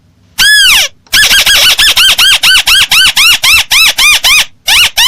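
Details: Crake lure sound: one long loud descending call followed by a fast, even run of short arched notes, about three per second.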